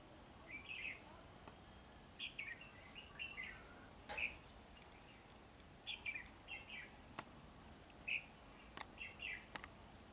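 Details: Red-whiskered bulbul displaying with wings spread butterfly-style, delivering a series of short, bright whistled phrases, each a few quick liquid notes, repeated roughly every second or two, with occasional sharp clicks in the background.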